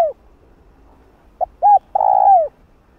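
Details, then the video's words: Spotted dove cooing used to lure wild birds for trapping, a single phrase of a brief clipped note, an arched hooting note and a long coo sliding down at the end. "Tiếng cu gáy gọi thúc gù kích mồi tập bổi, kích bổi ức chế gáy nhanh"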